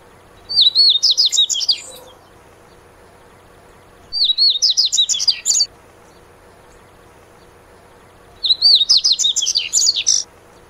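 Dubois's Seedeater singing three bright, rapid phrases of high twittering notes, each lasting over a second, separated by pauses of about three seconds.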